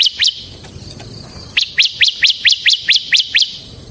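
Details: Bar-winged prinia, ciblek semi type, in ngebren singing style for luring and training ciblek: two sharp upslurred chirps, a second-long pause, then eight evenly spaced rising chirps in quick succession.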